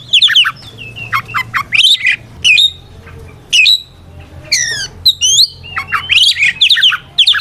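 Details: White-rumped shama singing an aggressive challenge song to call out opponents, a mix of sharp downslurred whistles, scratchy squawk-like notes and quick chattering phrases broken by brief silences; faint low hum behind.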